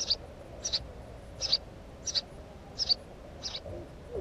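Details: Six brief, high, clipped chirps from a house sparrow, spaced about two thirds of a second apart against a quiet, steady hiss.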